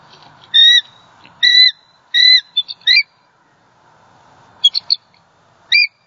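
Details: Wild female bald eagle at a Southwest Florida nest, 28 December 2020, calling in distress after a great horned owl knocked her mate from the nest. High whistled notes in short paired bursts, then a quicker run of thin piping calls, with faint background hum.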